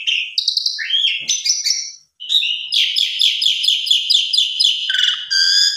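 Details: Javan pied starling full song used as a lure to get other starlings singing: varied whistles and slurred notes, then a long fast series of harsh, buzzy repeated chattering notes, loud and continuous.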